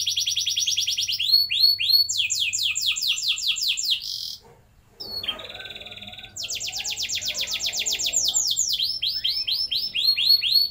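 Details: Long rolling canary song played to coax young canaries into fast long rolls: fast trills and looping notes, a brief silent break, a held tone, then another long rapid trill with sweeping chirps.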